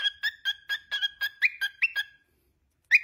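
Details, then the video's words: A talkative pet cockatiel whistles a run of short clipped notes on two alternating pitches, ending in a few rising upslurred notes before a pause and one last sharp whistle. "Chattiest Cockatiel Ever! | Nonstop Talking & Whistling Compilation"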